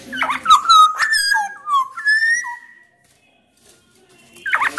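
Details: Black-naped oriole from Sumbawa, with male and female Javan birds also said to be present, singing loudly as a lure to make other orioles sing: fluty whistled notes, some sliding and rising, with harsh nasal bursts at start and end, then a pause.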